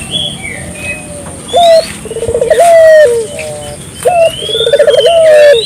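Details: Barbary dove in lively voice, played to stimulate local doves: two full coo phrases, each a clipped opening note, a fast bubbling roll and a sustained low tone, with scattered high whistles and chirps around.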